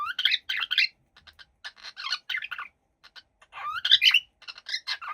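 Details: Busy warbling chatter from a happy cockatiel, harsh scratchy syllables and chirps in uneven clusters with short gaps, a few upward squeaky slides standing out.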